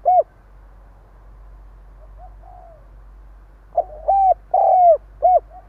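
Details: Spotted dove decoy, stuttering urging coo: a single loud note, a stretch of soft murmured coos, then a loud burst of four hollow notes, short, long, longer, short, over a low steady hum.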